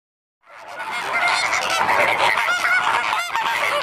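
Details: Flamingos living in a flock, natural sound: dense, continuous chorus of overlapping honking, goose-like calls from many birds, steady and loud after a brief silent start.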